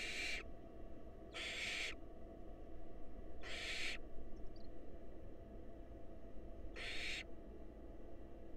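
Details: Rasping hissed screeches from wild barn owls at their nest box as the male brings a mouse and the female feeds a nestling: four short bursts at uneven intervals over a constant low hum.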